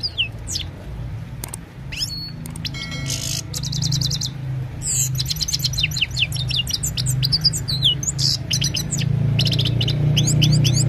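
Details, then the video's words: Himalayan goldfinch singing in the evening, recorded on a mobile phone: a fast, bright twittering of tinkling notes and short trills, quickly varied, over a steady low hum. "Gold finch simple singing this is really amazing bird song"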